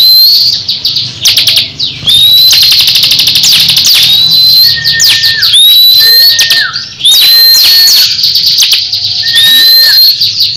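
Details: Crescent-chested babbler locked in a song duel with a rival cage bird: alternating fast high rattles, thin rising whistles and flat whistled notes dropping at the end, repeated in several bursts.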